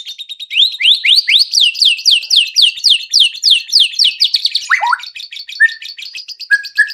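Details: Lure song of a white-rumped shama, meant to prompt other shamas to sing and show their repertoire: a fast series of about twenty upward-sweeping whistles, then a few lower chips and short flat whistles.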